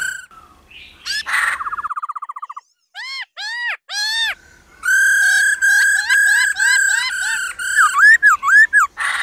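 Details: A female laughingthrush calls to stir males into singing. A fast buzzy trill comes first, then loud arched whistles, then a long run of clear, steady whistled notes broken by quick rising flourishes.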